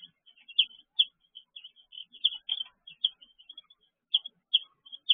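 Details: Several baby chicks calling inside a brooder on a June evening in 2023: bright high peeps, some sharp and loud, repeated irregularly with brief pauses.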